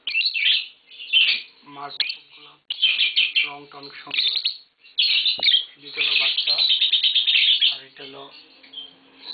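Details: Green Fischer's lovebirds kept as a tame pair in a home, sending out long runs of harsh, rapid chattering chirps with brief pauses, and low human speech murmuring in the background.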